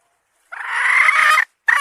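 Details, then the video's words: Domestic hen giving a single long, harsh, buzzy note of about one second, with the start of a second note cut off at the end; no background noise. "Suab Poj qaib seev zoo heev"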